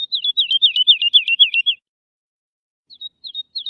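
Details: Lark song played for teaching young birds: a fast, even run of about ten slurred, falling notes, then after a pause a few soft, short high chirps, with no other sounds.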